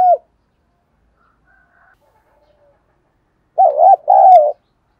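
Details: Spotted dove: a clipped coo, then silence, then two rich wavering coos given close together, low and mellow against a quiet background.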